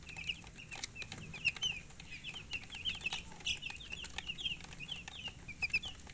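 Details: Colored chickens giving a continuous stream of soft, high, quick peeps, several callers overlapping, over a faint rustling background.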